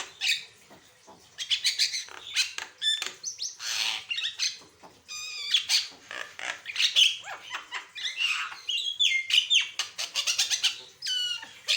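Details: Asian pied starling singing energetically with varied phrases, a recording meant for training and prompting other birds: a long, fast medley of harsh squawks, clear whistles, rising slurs and rattling chatter, almost continuous with brief pauses.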